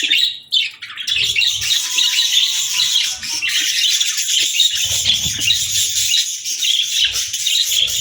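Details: Budgerigar song: an unbroken high, scratchy warble with rapid chirps and trills layered over one another throughout.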